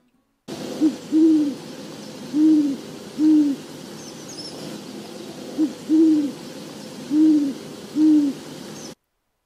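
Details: A Great Horned Owl of eastern North America hoots at night in two phrases, each a short note followed by several deep, soft repetitive hoots, the pattern repeating after a pause; low background hiss.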